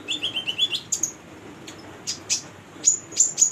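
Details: A female konin singing, used as a lure for young konin: a fast twittering run of high chirps, then sharp, thin whistled notes that slide down, repeated in bursts, with no other sounds.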